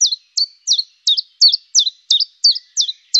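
A common chiffchaff sings a steady run of high, bright notes, about three a second, each one dropping in pitch with an uneven chiff-chaff rhythm.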